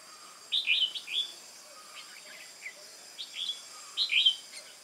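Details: Red-whiskered bulbul, a newly caught wild bird, recorded 22 October 2018 during competitive singing: short bright warbled phrases with quick up-and-down whistles, delivered in three bursts about every 1.5 seconds, against a faint steady high hiss.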